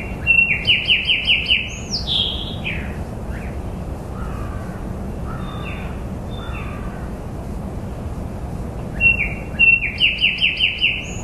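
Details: Bird chirping outside: a quick string of descending slurred notes and a high sweeping whistle, a stretch of quieter separate calls, then the same rapid chirping phrase returns, over a continuous low rumble.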